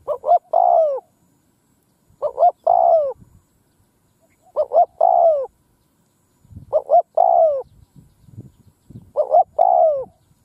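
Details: A spotted dove in a field coos a three-note phrase, two short notes and a longer falling one, repeated about every two and a half seconds, with faint low rumbling behind it.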